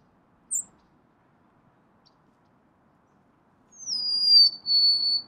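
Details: Golden-crowned sparrow with a single high chip, a long silence, then a descending whistled phrase of two parts near the end.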